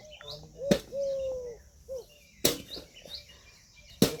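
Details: Indian peafowl calling in a rural outdoor setting: a sustained, mid-pitched nasal tone with rich harmonics, flanked by shorter curved notes, with several sharp loud bangs and faint chirps from other birds.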